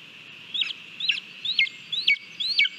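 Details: Lesser spotted eagle at a Latvian nest, live camera, 18 July 2022, while eating a mole: five thin high whistles, each sliding up then falling sharply, about two per second over a soft steady hiss.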